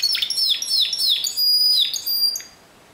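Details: Timbrado canary singing in the discontinuous style: a series of sharp descending whistled notes, about four in a row, then a pause and a shorter phrase before fading out.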